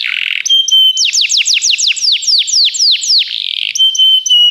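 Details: Canary of the Begie kind in song meant for training: a buzzy opening, a steady high whistle, then a run of about a dozen descending sweeping notes, finishing with level pure tones.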